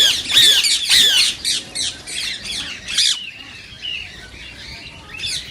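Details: Rose-ringed parakeet voice meant to stimulate singing and mating in other parakeets; a burst of shrill rasping squawks and screeches at first, fading into softer scattered chatter.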